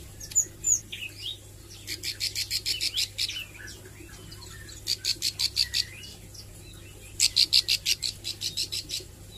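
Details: Young-style practice by a Plain Prinia (ciblek sawah) learning to sing and 'nembak': three separate bursts of fast, high, even ticking notes, each burst lasting one to two seconds, with brief scratchy notes at the start.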